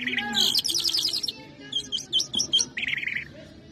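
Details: Mashadi jal song from a lark, Irani or Afghani style: dense, fast twittering trills and chattering phrases, then a brief run of separate sharp notes and a final buzzy trill, with faint low background noise.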